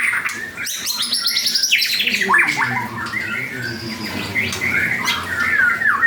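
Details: Actively singing white-rumped shama of the 'panda' type pours out a fast, varied song. Rapid buzzy trills and squawky bursts run into sharp slurred whistles, about three to four notes each second, over a low background hum.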